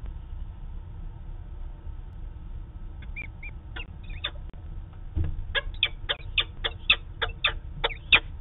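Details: A peregrine falcon in Manchester, New Hampshire, on 2 September 2018, caught on a live falcon cam, gives harsh, grating notes that start sparse and quicken into about a dozen rapid calls over a steady low rumble.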